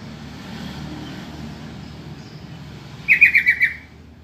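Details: Yellow-vented bulbul call used to lure answers from other bulbuls. After a quiet stretch of low rumble, five bubbly notes arrive in a quick, evenly spaced chattering run.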